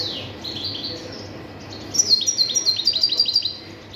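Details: A goldfinch gives a sliding high note, then a loud rattling series of quick, tinkling chips repeated in a tight rhythm, with a faint hum below.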